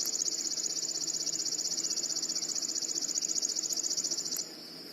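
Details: Chipping Sparrow in the morning sings its song: a long, rapid, dry trill of identical high chip notes, like a ray gun, held at one pitch for over four seconds, over faint hiss.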